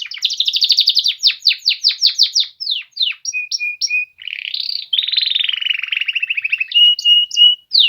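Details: Polish male canaries singing: quick runs of repeated bright chirps and trills, then steady whistled notes, a buzzy rolling trill and a sustained high twitter, all high-pitched and continuous.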